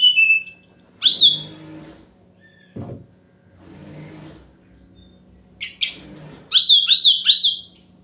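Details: Sumatran laughingthrush song played as a lure to make silent birds answer. Two loud bursts of rapid, wavering high whistles and chirps, separated by a quieter gap with a faint low hum and a brief knock.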